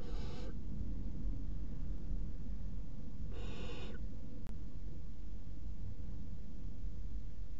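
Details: At 01:30 on 30 June 2016, three barn owl chicks in a nest box eat a mouse at the same time, giving two harsh, breathy snoring hisses about three seconds apart over a steady low rumble.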